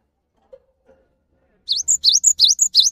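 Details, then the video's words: Cinereous tit singing loud and steady ('gacor') to coax quiet tits into song: a faint soft note or two, then a fast string of about six bright, piercing, dipping notes. "MASTERAN GELATIK BATU GACOR UNTUK MEMANCING BUNYI GELATIK BATU MALAS BUNYI"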